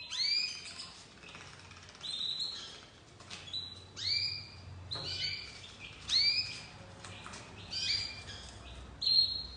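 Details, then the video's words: Young crested white domestic canary starting to sing: short upslurred chirps and brief whistled notes repeated about every second or two, soft and spaced, with quiet gaps. "Canário doméstico branco de topete começando a cantar"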